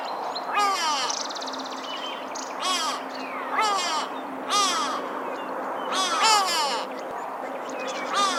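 Grey Go-away-bird giving harsh, nasal, drawn-out calls about once a second, some overlapping, with a faint steady hum underneath.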